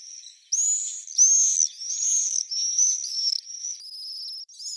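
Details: Common swifts giving a series of shrill, high screeching calls, each about half a second long, running into one another with slight rising and falling bends.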